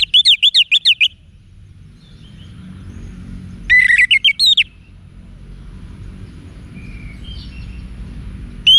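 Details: Orange-headed thrush wiksar song, used to train caged birds. It has two quick bursts of bouncing, zigzagging whistled notes, each about a second long, with a long quiet pause between them over a steady low rumble.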